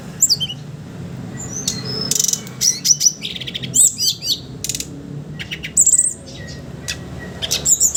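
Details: Sooty-headed bulbul giving a busy 'ngeriwik ngeplong' chattering song, used as a lure for untrained young birds: sharp high chirps, quick rising and falling whistled flicks and short rattling bursts spread through the recording, over low steady hum.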